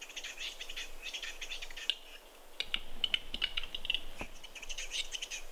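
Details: Rapid dry clicks and scraping, hissy chatter from western capercaillie males fighting at a spring lek on snow in Kuusamo, Finland, in 2021, with irregular taps and fluttering throughout.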